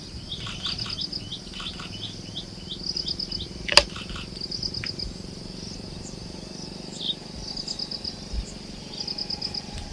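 Ashy-crowned sparrow-lark giving thin, high, tinkling notes in short runs about every two seconds, over a steady hiss and one sharp click.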